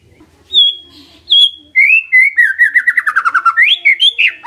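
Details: White-rumped shama lure song used to prompt a quiet shama to respond: two high drawn whistles, then a fast rolling run of sweet notes that falls in pitch before rising into bright ringing phrases.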